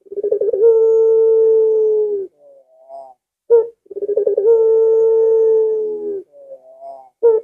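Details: Two long drawn-out coos from a collared dove, a puter in pelung style. Each opens with quick stuttering pulses and settles into a steady low hum of about two seconds, with brief soft notes between.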